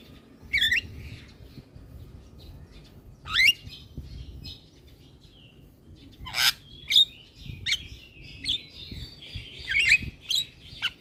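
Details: Energetic singing from a head-bobbing Javan myna: scattered loud, rising squeaky whistles and harsh bursts at first, then a busier stretch of short chirps, clicks and thin whistles.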